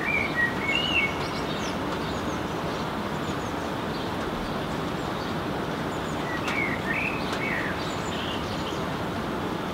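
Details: Blackbird singing in the rain: two short whistled, warbling phrases, one at the start and one near seven seconds, over steady loud hiss of falling rain.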